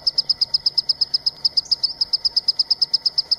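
Green-tailed Sunbird giving a fast, even run of high, thin ticking notes, about six each second, over a quiet background.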